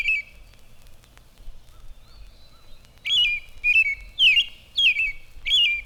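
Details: In spring, an American Robin sings loud, clear "cheer up, cheerily" caroling phrases, about five short rising-and-falling whistled notes in quick succession, dominating a phoebe singing fainter in the background; 1954 recording.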